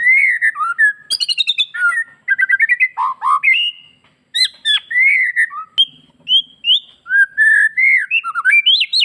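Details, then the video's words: Bali white-rumped shama in full, lively song packed with varied phrases, meant to make other shamas answer; rapid sequences of clear whistled notes, slurred rising and falling, with sharp ringing chips, briefly pausing near four seconds. "MURAI BATU BALI... suara gacor full isian BIKIN MURAI APAPUN LANGSUNG NYAUT"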